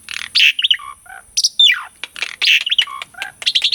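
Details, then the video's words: Asian pied starling song recorded to coax non-singing birds into song: harsh rasping notes, short whistles and one long falling whistle in a quick jumbled sequence. "KICAUAN JALAK SUREN GACORAN - PANCINGAN JALAK UREN MACET PALING JITU..!!"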